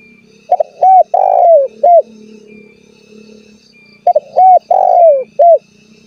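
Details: Spotted dove calling to rivals to get them to answer: two phrases about three seconds apart, each opening with a double note and ending with a long coo falling away, then a short coo; low background drone.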